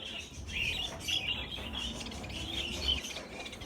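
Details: Some fifty caged budgerigars, kept together and being moved into a bigger flight cage, produce a dense, continuous high-pitched chattering of overlapping warbles and chirps that stays steady for the whole stretch, with a faint low rumble underneath.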